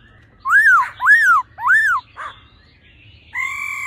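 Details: Female laughingthrush with a singing male of old forest voice, used to rouse males fast: three loud arched whistles, each rising and falling, a brief rough note, then a sustained flat tone beginning.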